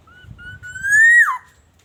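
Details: Black-naped oriole from Aceh, a very vocal lure recording used to draw other orioles into singing: one clear fluted whistle, starting low and level, swelling as it rises slightly, then dropping sharply at the end.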